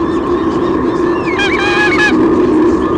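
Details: Female White-bellied sea eagle at her nest in Sydney Olympic Park, Australia, June 2016, giving one burst of squeals as the male arrives with a fish. The tight cluster of shrill, bending notes sits above continuous low hum.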